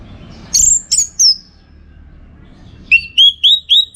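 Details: Orange-headed thrush singing as a training tutor for song-contest birds: a few high, sharp whistled notes, a pause, then a run of four rising whistles repeated quickly, each with a thin high overtone.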